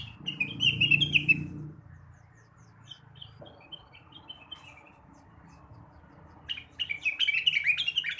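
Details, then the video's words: Blue-winged leafbird's morning song, used to stimulate untrained birds: a burst of bright, rapid warbled chirps, a pause with scattered soft notes, then another lively chattering burst, over a low rumble. "kicauan rengganis atau cucak wilis di pagi hari"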